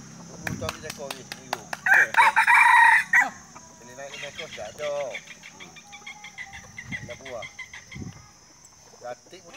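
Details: Rooster crowing during a contest in Dungun for the bird that crows the most; one loud, harmonic, drawn-out crow lasting about a second, surrounded by steady chatter from people and other fainter clucks and crows.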